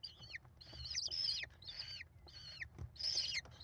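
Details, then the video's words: Five American kestrel chicks being fed by their mother at a nest on a live cam, 28 May 2021: shrill, high downslurred squealing notes in bursts, about five in under four seconds, over low rumbling background. "Mom faces the mob! American Kestrels."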